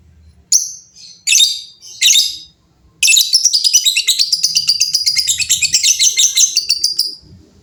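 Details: Lovebirds answering each other noisily; three harsh squawking bursts, then a long unbroken stretch of fast, buzzy chattering trills lasting about four seconds.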